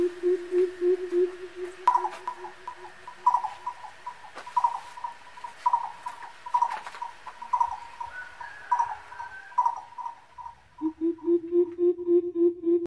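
A coucal gives fast runs of deep, hollow hoots, then a long series of higher, evenly spaced notes at about three per second before the low hooting returns.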